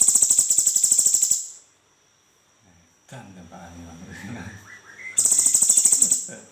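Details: Cucak cungkok bulbul rolling song, used to get other birds singing: fast rattling high trills open and close the passage, with a human voice talking quietly during the pause between them.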